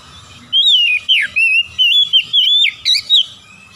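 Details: Oriental magpie-robin song of fluent, wavering whistles run together into a lively phrase of about three seconds, with rising and falling slurs and sharp accents.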